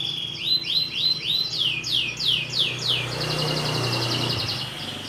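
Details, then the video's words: Canary singing, a "goyang prospek" style bird: a series of rapid rising sweeps repeated about three times a second, then a dense high buzzy trill, over a low steady hum. "KENARI GOYANG PROSPEK"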